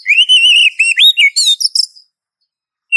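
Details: Female Oriental magpie-robin calling a male, used as a lure: two seconds of wavering, warbled whistles with quick slurred notes, then silence and one short falling whistle at the end.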